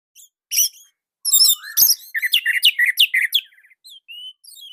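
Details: Indonesian orange-headed thrush singing a master song for training other birds: scratchy high notes, a rising slur, then a fast series of loud ringing whistled notes, fading into quiet squeaks.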